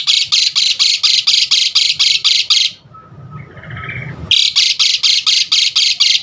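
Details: Asian pied starling uttering fast, evenly spaced harsh rasping notes about twice per second, breaking off for a quiet gap of faint murmuring before the same rasping series resumes, part of a song for rousing other starlings.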